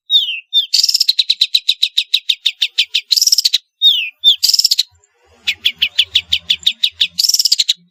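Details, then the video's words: Long-tailed shrike in vigorous varied song used to coax reluctant shrikes into singing: long runs of fast rhythmic raspy notes broken by downslurred whistles and harsh buzzy bursts, with a faint low hum. "suara burung pentet gacor isian variasi bisa untuk pancingan cendet malas bunyi"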